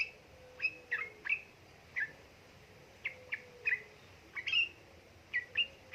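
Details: Yellow-vented bulbul, female calling male, recorded to encourage lazy birds to sing; sharp, clipped chirps given singly or in pairs at irregular intervals against a quiet background.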